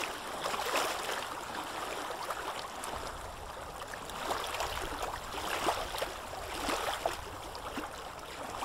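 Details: Steady rushing and splashing of flowing water fills the recording, with no animal calls audible.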